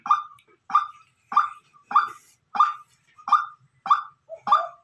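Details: Decoy white-breasted waterhen giving a steady run of eight strident, clipped call notes, each rising briefly then fading, spaced evenly roughly every 0.6 seconds over a quiet background.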